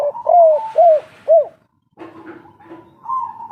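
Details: Indonesian local spotted dove of the kuk-3 style, real voice. Three low arched coos open the recording, followed by quiet shuffling noise and a thin high whistle at the close.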